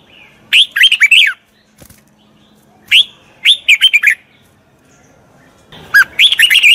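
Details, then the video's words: Red-whiskered bulbul song for voice-training a wild-caught bird: three separate bursts of quick, bubbly whistled notes, each under a second long and spaced about two and a half seconds apart, with a faint tap between them. "Tiếng chào mào luyện giọng chim bổi. นกปรอดหัวโขน"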